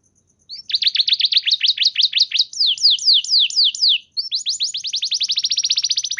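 A canary sings fast rolling trills of high, down-slurred notes, about four a second, with a brief pause before a second, steadier high trill.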